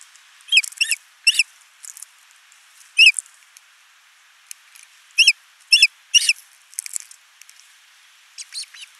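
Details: Ospreys at a nest in Finland on 29 June 2024, recorded by a nest camera. The male brings a big live fish and the female feeds their only chick. Sharp whistled chirps come singly and in pairs, spaced irregularly.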